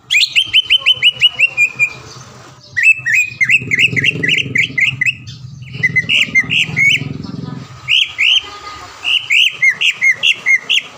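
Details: Champion caged greater green leafbird from the Palembang area, recorded as a master for training birds: fast repeated chip series, bursts of sharp rising whistles and chattering phrases separated by short pauses, with faint low rumble behind.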